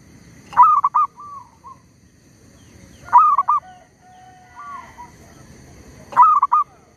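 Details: Zebra dove serving as a lure in bird trapping, keeping up its song while a tree squirrel bothers it. Three loud stuttered cooing phrases roughly three seconds apart, with faint drawn coos in the gaps.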